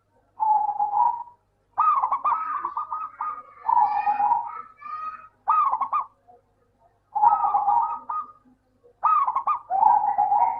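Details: Local zebra dove song played to coax reluctant doves into singing: repeated short phrases of quick, bubbling coos, some rising and then dropping, delivered in six bursts with brief pauses and no other noise.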